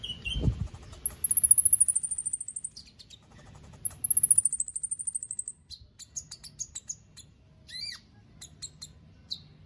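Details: Contest-kept white-rumped shama from Palu, Central Sulawesi, sings very high, thin descending trills, two long runs, followed by scattered clipped notes and whistles, with a low thump at the start and faint background hum.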